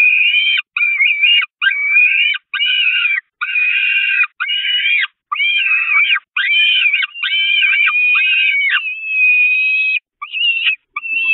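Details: Hungry peregrine falcon chicks at the Catharinakerk nest, 5 May 2021, assail their mother until she retreats to the grate. A rapid series of high, wavering, screaming wails, each about a second long with brief gaps.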